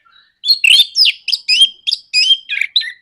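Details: Orange-headed thrush, 'nraktak konslet' provoking song: a quick string of about nine loud, choppy whistled phrases, each sharply broken, rising and falling at high pitch.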